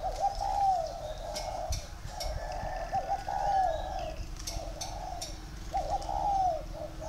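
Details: Spotted dove, bred in captivity and tame, repeating rhythmic coo phrases about every two seconds: soft hoots rising then sliding down, with faint clicks and knocks nearby.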